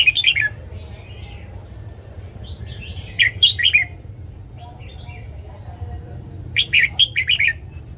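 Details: Morning song of a caged red-whiskered bulbul played to train birds: short bursts of sharp, warbled whistles, three phrases of four to six notes separated by gaps of steady low background noise.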